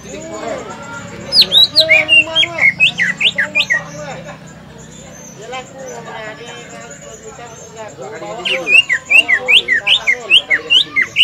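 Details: Green leafbird singing at a bird-song practice contest at Semparuk field, a lure song to spur other birds. Bursts of loud, sharp, rising and falling whistled notes come in quick runs, with a pause of crowd chatter between them.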